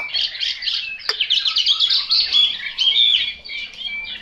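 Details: Chinese hwamei delivering a bright, fast song of high whistles and trills, with one sharp click near the one-second mark.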